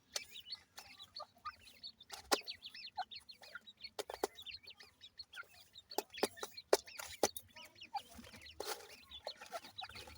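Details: Grey francolin (teetar) chicks calling: rapid, thin, high peeping notes, many short upward chirps overlapping at an irregular pace of about two per second, mixed with sharp clicks and taps.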